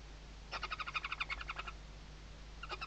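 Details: Barn owl chicks beneath the mother's wings on a webcam-watched nest in the Ebro Delta's Riet Vell reserve, Tarragona, Spain, 2023; a rapid rattling trill of about a dozen harmonic pulses, then a shorter second burst, over low electrical hum.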